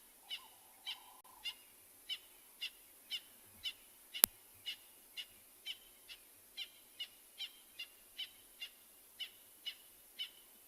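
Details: Francolins calling on a quiet morning safari drive in a South African private reserve, 25 July 2020. Crisp, high notes repeat roughly once a second in a long, even run, broken by one sudden click midway.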